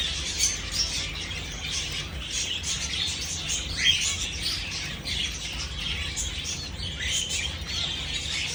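Java sparrows keep up a dense, nonstop chatter of high chips and twitters, many birds calling at once, over a low background hum.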